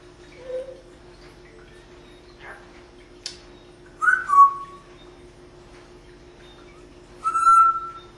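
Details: Pet parrot, female, living in Las Vegas, Nevada, at a window: a faint low note and a click, then two clear whistles, each sliding downward, about three seconds apart.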